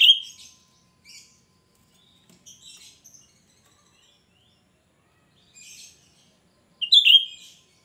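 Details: Shrill cucak rante song meant to lure wild untrained birds: a loud whistled phrase opening the passage, scattered soft high twitters in between, and a second loud sliding whistle about seven seconds later.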